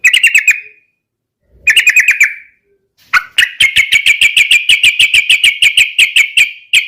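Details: Yellow-vented bulbul in energetic 'gacor garuda' song, used to lure other birds into singing: two brief bursts of rapid sharp notes, then a sustained series of loud, regular chips.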